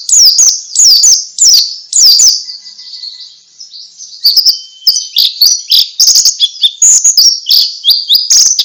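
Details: Pleci, a white-eye, singing in the ngalas style used to get other white-eyes to reply: loud bursts of very high, fast twittering with sliding, descending whistles, a brief lull, then a dense, continuous chattering stream of varied high notes.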